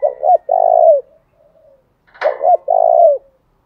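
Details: Lure spotted dove used to incite rival birds gives two matching low coo phrases about two seconds apart, each two short notes and a long note, the second opened by a brief sharp click.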